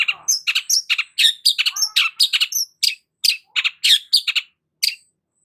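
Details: Long-tailed shrike in energetic song: a dense, varied stream of quick chirps, whistles and scratchy notes run together, slowing toward the end, with no other sounds.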